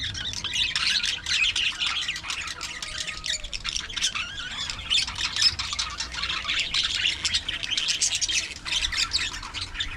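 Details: Budgerigars (budgie parakeets) in an aviary colony give dense, continuous chattering: rapid high twittering and scratchy warbled notes overlapping with no pauses, with a faint low tone near the start.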